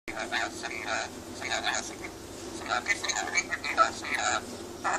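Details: Pet rainbow lorikeet chatting and laughing indoors, a run of scratchy, buzzy chattering notes in short bursts with a few squeaky whistles.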